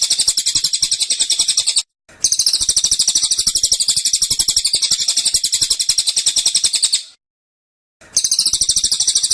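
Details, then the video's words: Dense, insistent 'tembakan' from a caged cililin. Long volleys of rapid, high, sharp chirps are broken by two brief silences, the middle stretch running nearly five seconds without pause. "Tembakan Cililin Suara Rapat Dan Ngotot"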